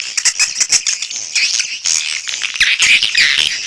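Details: Swiftlet calls: rattling, clicky chirps early on, giving way to louder high, wavering squeaks and twitters toward the end.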